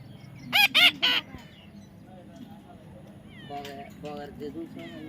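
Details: Baby parrot being tamed, giving three loud, harsh, nasal screeches in quick succession, then a quieter stretch with people talking and a few softer chattering notes near the end.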